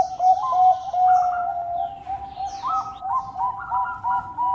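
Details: Soft, continuous purring coo from a Bangkok zebra dove, broken by quick bubbly stuttering notes that repeat in rapid groups, about two or three per second.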